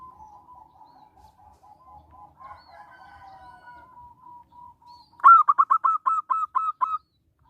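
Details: Local zebra dove used to set off singing in other doves and as a lure: a long soft rolling trill, then about nine loud staccato cooing notes delivered quickly.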